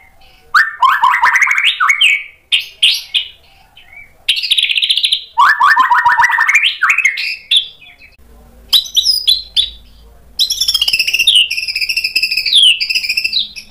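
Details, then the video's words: White-rumped shama singing a sharp, richly varied song to prompt other birds to reply: bursts of rapid rising chip phrases separated by short pauses, ending in a long high warbling, wavering sequence. "MURAI BATU GACOR bongkar isian tajam cocok untuk PANCINGAN biar ikut NYAUT BUNYI"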